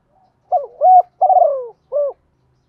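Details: Spotted dove, male and female birds cooing, used to stimulate kept doves to call: clean close recording of four low hollow coos in quick succession, the third drawn out and falling, no other sounds.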